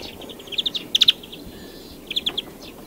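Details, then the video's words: Song of a European greenfinch: quick bursts of three to four sharp chirping notes in fast twittering runs, with a faint background hiss. "Canto do Verdilhão (Chloris chloris)"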